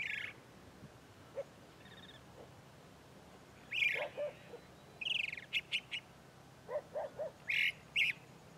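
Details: A chalk-browed mockingbird in the sertão of Bahia, Brazil, sings a varied run of short phrases: harsh, buzzy notes mixed with sharp chirps, delivered in irregular bursts with short pauses.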